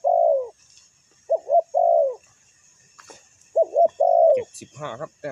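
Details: Ground-decoy spotted dove calling to draw wild birds down: drawn-out, slightly falling coos with quick doubled notes between them, and a brief rougher chattering sound at the end.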